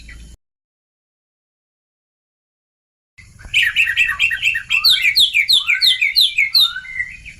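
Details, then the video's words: Oriental magpie-robin lure sound for young birds: after a silent stretch, a fast chattering series of sharp chirps and scratchy notes, about three per second, mixed with short whistles. "Kacer bakalan langsung nyaut..suara pancingan kacer bakalan"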